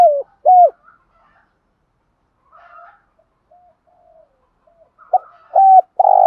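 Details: Decoy spotted dove calling to stimulate other doves. Two coos open the recording, soft faint notes follow, then a new phrase starts with a short note, a level coo and a loud rolling coo.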